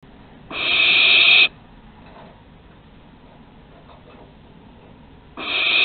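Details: Young barn owls learning to fly at Théding, France, on 21 September 2020, filmed by nest webcam: one harsh, hissing screech lasting about a second, a long quiet stretch, then a second screech starting at the end.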